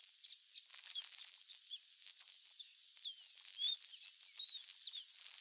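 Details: Wild chestnut seedeater singing in nature: a rapid run of high, sharp chipping notes followed by slurred, descending whistles, phrases tumbling almost continuously for five seconds against a faint background hiss.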